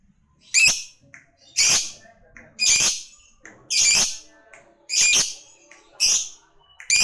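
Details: Lovebird calling a rival with harsh, shrill screeches repeated roughly once a second, each a short high burst with quiet pauses between.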